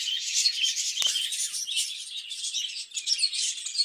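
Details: Budgerigars kept in a cage to breed, chattering steadily in high rasping chirps and warbles, with a single sharp click early on.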